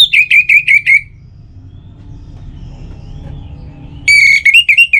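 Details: Orange-headed thrush singing, meant as a morning and evening lure to make other birds sing more: five quick repeated whistled notes, about three seconds of quiet with a low hum, then the repeated notes start again.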